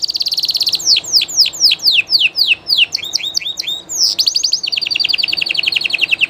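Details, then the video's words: Live song from a Spanish Llarguet canary: rapid trill opening, then spaced swooping downslurred whistles, a brief chatter, and a long closing roll of fast repeated notes, high-pitched and continuous. "CANTO DE CANARIO DE UNA RAZA MUY CONOCIDA Y DE LEYENDA llarguet español"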